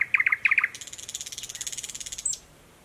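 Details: A recently arrived thrush nightingale sings in dense thickets by a stream near a pond, Mogilev district, Belarus, 11 May 2021: clipped mid-pitched notes in quick pairs, then a fast, dry, rattling trill high up, closing on one thin high note.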